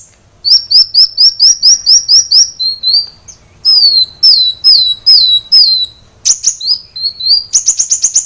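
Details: Kolibri wulung sunbird in full, constant song, recorded to train caged birds: quick strings of high, thin descending whistles, brief pauses, sharp chirps, and a closing rapid trill.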